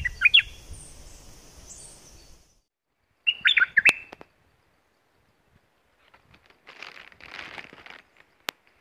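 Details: Bulbul from southern Thailand, a recording played to excite birds for decoy trapping: a quick burst of bright, warbling whistled notes, repeated once after a pause, then a softer scratchy rustle near the end.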